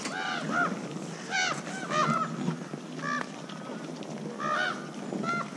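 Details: Food-associated haa calls of common ravens recruiting other ravens to a boar feeding site. Many hoarse, nasal, arched calls overlap from several birds in quick irregular bursts over a light noisy background.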